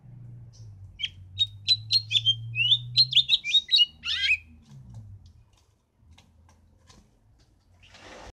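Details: House finch song: a fast, lively series of high, sweet, twittering notes over about three seconds, closing in a buzzy, tumbling burst, followed by near silence and a faint low hum.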